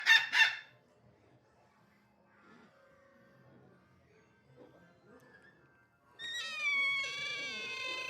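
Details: Pet cockatiels said to be angry: a short loud burst opens, then a long quiet stretch with faint soft notes, ending in a sustained harmonic screech with a wavering pitch from about six seconds.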